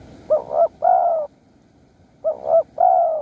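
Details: A wild spotted dove calls in Surat Thani, Thailand, at a Bang Bai Mai luring site. Two full phrases are heard, each with a pair of short low coos leading into a sustained mellow coo, about two seconds apart.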